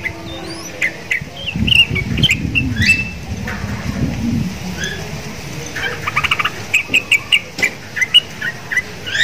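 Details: Sooty-headed bulbul kept caged beside Javan mynas and said to share their sound, singing vigorously. Scattered chirps over low rumbling noise, then evenly spaced sharp notes about twice a second.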